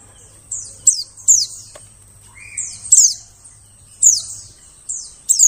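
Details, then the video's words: A white-eye gives thin, very high, downward-slurred notes about once a second over a faint low hum, used as a lure call for trapping birds in the wild forest. "suara pikat burung pleci"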